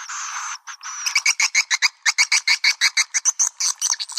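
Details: Swiftlet lure call for attracting birds: a brief buzzy chatter, then a fast series of short sharp clicks repeated several times a second.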